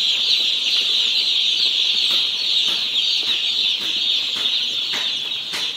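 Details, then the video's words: Many one-day-old chickens on a poultry farm chirp together in a dense, continuous high-pitched peeping chorus, with occasional sharper clicks or peeps standing out. "Hear the Chirps of 1-Day-Old Chickens From Our Poultry Farm!"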